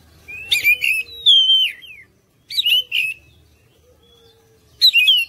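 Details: Oriental magpie-robin singing to lure other birds into responding: harsh scratchy bursts blended with sweet sliding whistles, in three separate phrases spaced by pauses.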